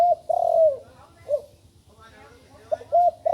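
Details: Young spotted dove that has only just begun calling: a long, mellow, falling coo, an isolated short note, then after a pause more short coos starting another phrase.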